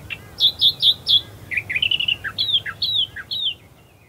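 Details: Australian Reed-Warbler calling amongst reeds at first light at Herdsman Lake, Perth, Western Australia: four quick repeated high notes, then a lower run of rapid chattering phrases, followed by sharp downslurred whistles alternating with lower notes.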